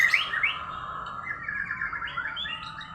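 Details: Domestic canary giving unusual song: a brief burst of sharp chirps, then softer warbled, gliding whistles that wander up and down.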